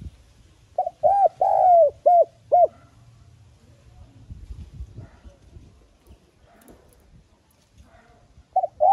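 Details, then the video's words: Spotted dove giving a gentle urging lure coo to stimulate doves: one full phrase of round hooting notes with a long falling centre note, then faint rustling, and another phrase just beginning at the end. "Tiếng Cu Gáy Mồi GỌI THÚC NHẸ GIỌNG Hạp Bổi Kích Bổi Nhanh Nổi /Cu Đất Gáy . cu cườm gáy.cu gáy"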